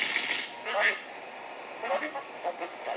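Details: A single bowerbird mimics construction noise: a saw, workers talking and noisy machines, as hissing, saw-like bursts and chattering voice-like sounds in short uneven phrases, with no other clear sounds.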